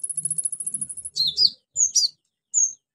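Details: Orange-headed thrush singing energetically with mimicked fill-ins, played to stimulate silent birds: a fast thin very high trill, then loud squeaky slurred whistles and a single clear high note.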